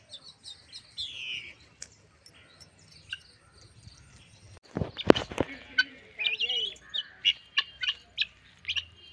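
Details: Helmeted guineafowl, 4 to 5 months old, give short, high chirping calls in quick, uneven bursts, with a few knocks and a voice nearby.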